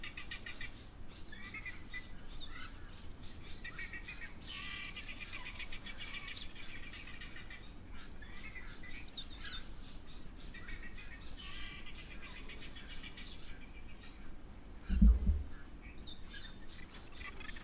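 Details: Guineafowl at an African waterhole give harsh, rattling alarm chatter in repeated bursts, apparently upset by nearby fish eagles, over a low background rumble.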